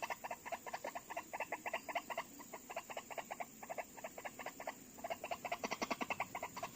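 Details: White-breasted waterhen at a trapping site where two birds came to call playback within seconds: dense rapid chattering pulses, several notes per second, rising and falling in bursts over a noisy background.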